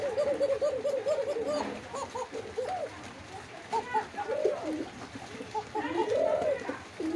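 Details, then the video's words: Pigeon calls, a run of quick rolling low coos at the start, then scattered bubbling arched coos from more than one bird, with steady background hum. "Pigeon Sound Videos"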